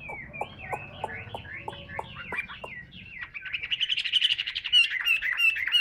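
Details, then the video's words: Hand-held caged Chinese hwamei in song: looping slurred whistles at first, then a louder burst of bright, rapid trilled notes and high sharp chips. "HM 203 ngũ trường siêu mẫu đấu xòe cầm tay hót"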